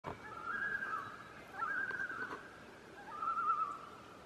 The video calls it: Call of the Loon